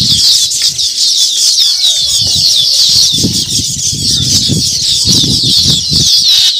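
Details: Colony of baya weavers around a freshly built nest, many birds twittering at once in a steady, high-pitched, buzzy chorus, accompanied by irregular low fluttering and bumping noises.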